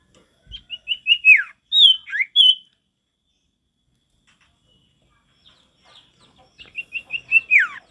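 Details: Male sirtu singing steadily with natural forest sound: a phrase of short high whistled notes speeding into a downward slur, then ringing whistles, repeated after a pause.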